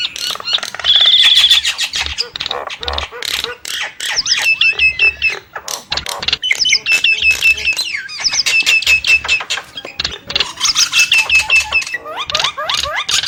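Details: Nias hill myna singing a varied string of clear whistles, slurred notes and harsh squeaky bursts. The phrases come fast and irregular, with a steady high whistle near the start and a faint low hum underneath.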